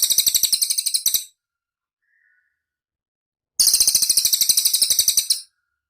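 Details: Training song of the cililin, or pygmy tit, played so songbirds like kacer and murai learn it; a high, quick, chattering trill lasting over a second, a pause of two seconds, then another similar trill.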